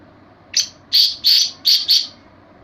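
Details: Black francolin, known in Sindhi as kala teetar, calling: five harsh, grating, high notes over about two seconds, a short first note then two pairs of louder rasping bursts, against quiet background.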